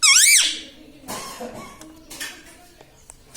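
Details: A pet parrot talking indoors, said to say words such as mummy and papa: a loud, wavering, high whistle opens the recording, followed by quieter speech-like syllables and faint squeaks in a small room.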